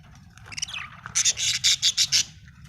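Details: Happy budgerigar chirping: a brief scratchy warble that slides downward, then a run of five quick, bright, buzzy chirps in even succession before falling quiet.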